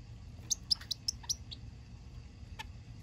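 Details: A pet zebra finch on its third day in a new home, calling during or after a massage: five short, high, nasal chirps in quick succession over about a second, then one more after a pause, over faint room hum.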